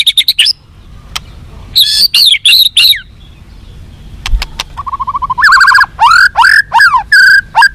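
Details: White-rumped shama song meant to make captive birds more responsive and fighting: high varied phrases, a quiet gap with clicks, then a fast low trill and loud repeated descending whistled notes.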